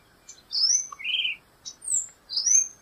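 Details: Tiê-de-topete (Black-goggled tanager) giving a brief phrase of sweet whistles: a descending slur, a rounded mid note, then higher bright whistles in quick succession over faint background hiss.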